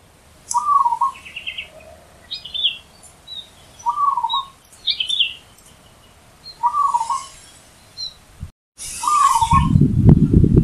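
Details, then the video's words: Zebra dove singing loudly in the wild: four trilled, stuttering coo phrases about two seconds apart. Other small birds chirp higher between them, and a sudden loud low rumble enters at the end. "Perkutut Di Alam Bebas Suara KERAS Menghentak"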